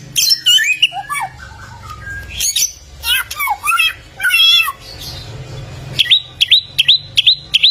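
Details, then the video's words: Golden samyong (bare-throated whistler) from Flores, Indonesia, known for many voices: harsh squawks and wavering whistles, then a run of quick, sharp upslurred notes repeated at a steady clip near the end. "AMAZING SOUND OF THE GOLDEN SAMYONG BIRD"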